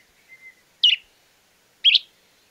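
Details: Stripe-necked Tody-Tyrant (Mosqueta estriada), one of Argentina's common birds, gives a faint thin whistle at the start, then two sharp, emphatic high notes about a second apart; otherwise quiet.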